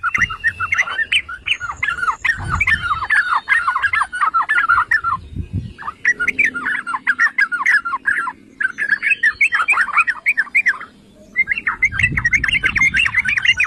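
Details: Yellow-vented bulbul, called trucukan or cerukcuk, in a long provoking song: bubbly, chattering runs of quick notes broken by short silences into four bursts, low rumble underneath.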